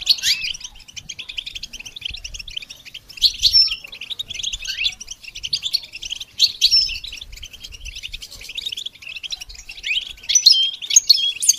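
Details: Training song of a goldfinch: steady high-pitched chattering twitter running throughout, punctuated by several louder tumbling bursts with short whistled slides.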